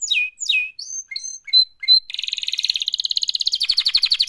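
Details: Canary singing a mating song: sweeping downslurred whistles and short bright notes give way to a fast, even trill of rapidly repeated high notes that runs to the end.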